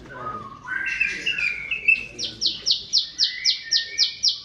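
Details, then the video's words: Bar-winged prinia, the small species used as a tutor song for cage birds, opens with soft rising twitters, then breaks into a quick regular string of sharp buzzy chips repeated about four times a second. "SUara CIBLEK SAWAH, SI kecil buat Masteran Semua Jenis Burung"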